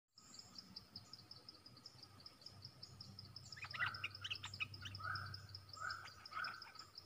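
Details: Stripe-throated bulbul lure song recorded 10 October 2021, used as a trapping lure: short bursts of chattering, slurred notes start midway and repeat irregularly over a steady high shrill insect buzz.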